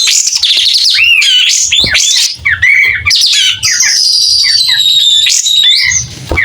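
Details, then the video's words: Pied triller in vigorous song with its tail fanned; rich medley of curling whistles, a long sustained high whistle, and harsh chattering notes, delivered almost without pause. "Kapas tembak gacor buka ekor.. SUARA JERNIH"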